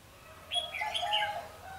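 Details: Red-whiskered bulbul singing during trapping with a wing-clipped decoy bird, 14 March 2016: one brief, lively warbled phrase of quick, bubbling notes lasting about a second.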